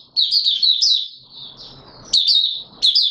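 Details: White-eye called Mata Puteh Raja, singing though not yet in full condition, 9 May 2022: one long, high, twittering warble of quick slurred notes, then two short bright bursts after a pause.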